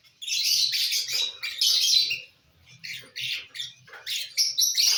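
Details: Lovebirds eating corn, dated 18 December 2022; long stretches of loud, grating high chatter and squawky chirps, dipping briefly midway, with faint low rustling underneath.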